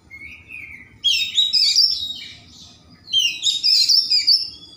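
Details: Caged white-rumped shama singing rich, varied phrases to stimulate other shamas to sing. A thin rising whistle leads into two dense bursts of sharp, warbled and chattering notes, with low hum behind.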